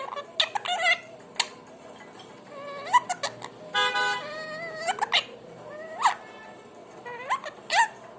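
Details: Indoor pet parrot giving assorted vocalizations: upslurred whistles, a brief harsh buzzy burst, and sharp squeaky chirps spaced irregularly across the recording.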